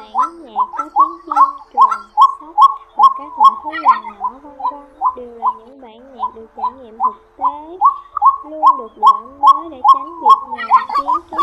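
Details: White-breasted waterhen calls used as a lure for night netting in the March 2024 trapping season: loud, regular two-part croaking notes repeated about twice a second, over steady low tonal lines.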